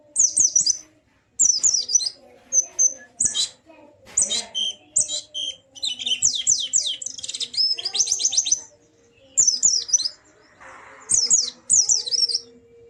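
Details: Extended white-eye song played to encourage a silent bird to sing: continual high, rapid twittering phrases and chip runs, nearly unbroken, with a faint low background hum.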